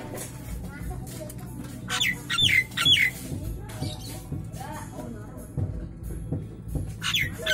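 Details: Nias hill myna in the afternoon, giving loud squawky notes and sharp descending whistles in bursts, with low background hum and other faint sounds.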